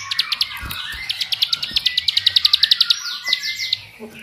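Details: Lure song of a bar-winged prinia (ciblek sawah) to stir rival birds into song: rapid high chirps, some slurred downward, quickening into a tight rhythmic run, then breaking into looser twittering notes.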